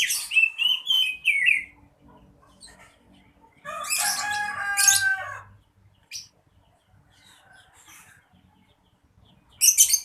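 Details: Oriental magpie-robin singing: quick high whistled notes at the start, then a loud, harsh, grating burst of stacked harmonic notes, a few isolated chips and a final sharp high phrase.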